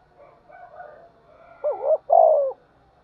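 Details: Spotted dove being provoked to fight and calling: soft, low murmuring coos at first, then a clear phrase of two short quick notes followed by a longer, slightly falling coo.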